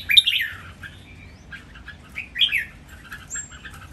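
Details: Red-whiskered bulbuls, three kept birds singing against each other, a counted-phrase master song style: bright warbled phrases rising and falling near the start and again after two seconds, with faint chatter between.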